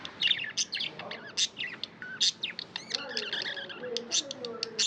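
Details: Chirping budgerigars with fast sharp tweets and warbled chatter, loud clicks spaced through the clip, and a faint lower drawn-out sound underneath in the second half.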